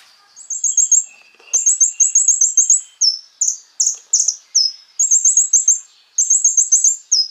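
An olive-backed sunbird sings very high, rapid chattering trills in bursts of about a second, mixed with sharp down-slurred notes. Nothing else is heard.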